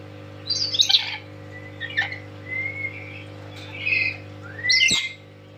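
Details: Loud tame lory giving five spaced calls over five seconds: a scratchy squawk, short whistles sliding level or rising, then a final harsh rising note. A constant low hum runs underneath.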